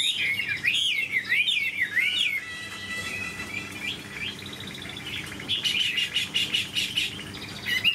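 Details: A big caged Chinese hwamei sings loud rolling, wavering whistles for two seconds, goes quieter, then finishes with a burst of buzzy, rattling notes.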